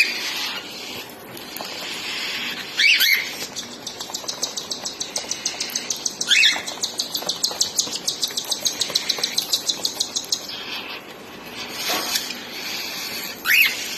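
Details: Cockatiel chicks being fed by their mother give rapid, rhythmic, buzzy pulsed calls for several seconds, broken by louder sharp chirps near the start, middle and end, with faint wing flutters.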